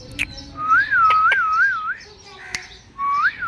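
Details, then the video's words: A pet talking Indian ringneck parakeet reacting to a mirror gives a warbling, wavering whistle rolling up and down for over a second, then a shorter rising whistle, with sharp taps and clicks between. "Talking Parrot"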